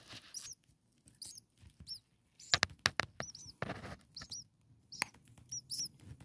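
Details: Six common starling chicks only a few days old beg in their nest with brief high arched squeaks in small clusters, broken by sharp knocks and scraping sounds.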